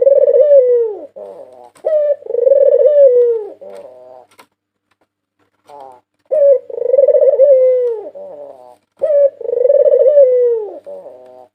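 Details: White Barbary dove, a national champion bird from 2022, recorded indoors as a training and lure song: a short low coo, then a long rolling coo that fades down, in three phrases with a brief silent pause midway.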